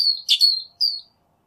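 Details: A Northern mockingbird sings outdoors, giving a high thin whistle, a burst of rough chattering notes, then a clear descending whistle, all packed into about one second.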